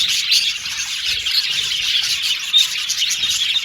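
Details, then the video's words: Contented budgies chirp in a busy chorus, bright soft tweets and chips running on continuously, with a few clear short whistles standing out above the chatter. "Budgies Chirping Sound | Australian budgies Singing sound"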